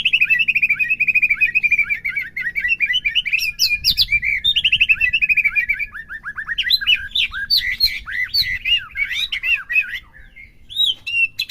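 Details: Dense, continuous white-rumped shama song played to push a captive bird to sing fully: rapid tumbling whistles, trills and chattering phrases running almost without pause.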